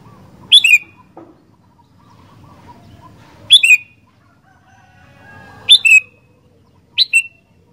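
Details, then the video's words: Sooty-headed bulbul in lively song, giving four bursts of sharp, descending whistled double notes spaced two to three seconds apart over a quiet, low background hum. "Burung Kutilang Gacor Doooor"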